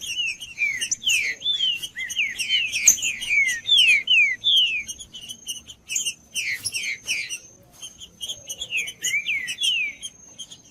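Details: Rufous-bellied thrush singing continuously: bright whistled notes sliding downward, grouped into quick repeated phrases with brief pauses, plus sharp high chips; a thin steady high tone persists in the background.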